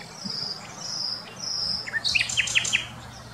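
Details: Common nightingale song recorded at Wittlich in 2020: three long, pure whistled notes evenly spaced, followed by a rapid run of sharp, downward-slurred chips and trills, over a low steady hum.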